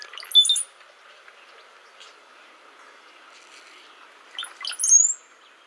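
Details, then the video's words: Brown-headed cowbird song played back twice, each a short, liquid burst of low gurgling notes like dripping water, ending in a thin, very high whistle that slides; quiet pause between the two songs. "If you ever hear birds and you hear a sound that sounds like water dropping, you are hearing brown-headed cowbirds most likely. So let's take a quick listen to that."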